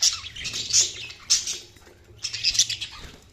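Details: Budgerigars chirping: bursts of harsh, scratchy high chatter in three groups, with short squawky notes between them.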